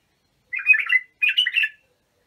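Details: Young bulbuls are meant to learn from this song: a pair of mellow, gurgling phrases, each about half a second, separated by a short pause, with no other sounds.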